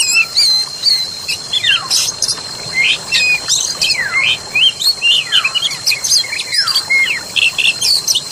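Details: Oriental magpie-robin song played to stimulate a caged bird that has stopped singing, among forest sounds: rich varied phrases of sweet whistles, sharp downslurred notes and rapid chirps, with a steady high electronic tone and other birdsong behind.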